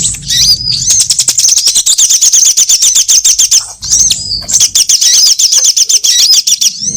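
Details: Sunbird lure call used for trapping birds, covering all sunbird types: very high, thin, rapid twittering trills in two long bursts with a short pause between, notes pulsing quickly and steadily, with faint low rumbling at the start of each burst.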